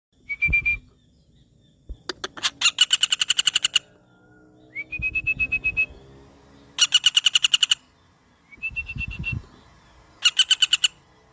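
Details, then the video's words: Common flameback, locally called pelatuk bawang: bursts of rapid, harsh, evenly spaced notes, about ten per second, lasting about a second each, alternating with short, thin, slightly rising whistles. "Suara burung pelatuk bawang"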